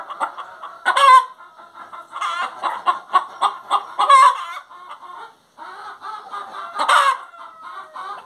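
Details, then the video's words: Hen's song of low murmured clucks and a few loud, harsh squawks, with a brief lull midway before the calling resumes. "Galinha Cantando"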